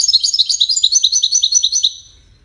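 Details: A dense run of rapid, bright, high twittering notes from a European goldfinch singing Widani-style song, used for chicks to learn from; it lasts about two seconds before fading out.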